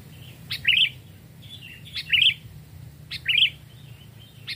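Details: Caged, wild-trapped sooty-headed bulbul, two or three years old, raised from a chick and tested in a forest: three short bubbly, warbled phrases about a second apart, each opened by a sharp click, over a low steady hum.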